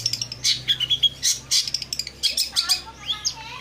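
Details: Long-tailed shrike in energetic song, played as a lure for quiet or stressed shrikes; quick sequence of sharp high chips and thin whistles, ending in a few sliding, warbled notes.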